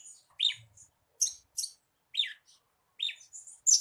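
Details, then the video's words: Horsfield's bush lark (branjangan), a lure song for getting a captive bird to sing: sparse separate notes, some high buzzy bursts and some downslurred chirps, with gaps between them, ending in a loud burst. "SUARA PANCINGAN BURUNG BRANJANGAN AGAR CEPAT GACOR"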